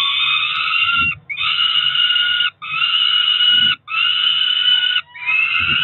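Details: Peregrine falcon chicks, about four weeks old, two ringed nestlings on a nest at Cromer, June, calling at breakfast time: loud harsh drawn-out wails about a second long, repeated four times with short gaps, faint low thumps beneath.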